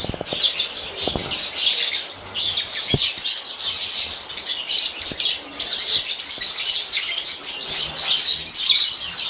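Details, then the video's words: Several lovebirds chirping together in a dense, continuous chatter of short, high, sharp chirps and twitters, overlapping with no pauses, with a few soft low knocks and thumps early on. "Попугаи расчирикались - Неразлучники"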